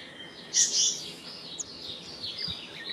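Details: Black-naped monarch, also called black-naped blue flycatcher, uttering a single sharp, grating high call followed by weaker scratchy notes and soft ambient noise.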